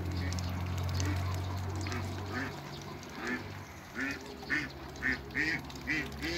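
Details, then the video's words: Hybrid Cayuga and female Muscovy ducks meeting; a steady low hum first, then short quacks repeated about twice a second in the second half. "MEETING IN THE AIR HYBRID CAYUGA & FEMALE MUSCOVY DUCKS"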